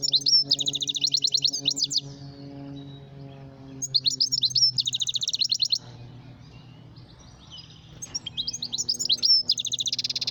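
A goldfinch gives bright, high, rapid twittering phrases with buzzy trills and tinkling notes, in bursts about every four seconds, over a faint low hum.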